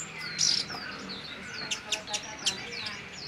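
A Chestnut-crowned Warbler gives thin, very high notes: a bright opening note, then a quick run of sharp, sliding chips about every quarter second.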